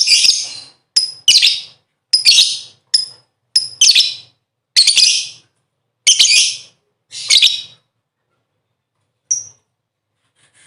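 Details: Caged lovebird singing to attract its mate: a series of harsh, buzzy chattering bursts, each about half a second long, interspersed with short sharp high chips, irregularly spaced over ten seconds, then tailing off.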